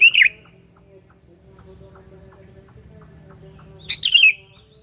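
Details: Loud lure call of a sooty-headed bulbul, used to attract bulbuls: a brief bubbly phrase at the start, then a longer chattering, falling burst after a near-silent pause of almost four seconds with faint chirps.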